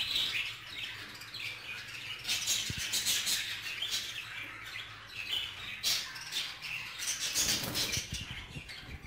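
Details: Jealous male budgerigar guarding a female in communal housing, scratchy warbling chirps and squeaky squawks in uneven bursts over several seconds, with a low thud and constant background hum.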